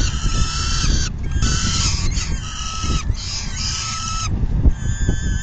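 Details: During a full feeding at a peregrine falcon nest, June 2022, afternoon; repeated harsh wailing calls of about a second each, separated by brief breaks, while low wind noise rumbles underneath.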